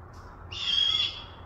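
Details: Great horned owl in Western Washington screeching once: a brief faint high hiss first, then a drawn-out raspy screech about half a second long with a thin tonal line through it, fading at the end.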